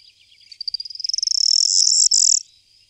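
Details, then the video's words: Corn bunting song: a few ticking notes that speed into a high, accelerating stutter and end in a dry, jangling rattle like shaken keys, about two seconds long. "Miliaria calandra / Corn Bunting"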